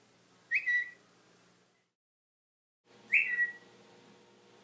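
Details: Pet African grey parrot, a male hatched in 1997 and kept at home in Texas, copying an iPhone mail 'tweet' alert: two short, bright chirps sliding upward, about two and a half seconds apart, with a quiet room behind.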